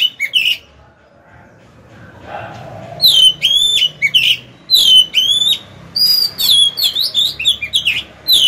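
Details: Decoy Oriental magpie-robin singing to lure wild rivals into a fight. After a short opening note and a quiet gap, it gives a long run of varied, rich whistles with quick slurs and trills.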